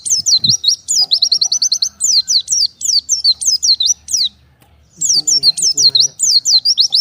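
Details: High, rapid chirping from an oriental white-eye separated from its flock and calling for others: fast trills and zig-zag falling notes, a pause of about half a second, then a renewed burst.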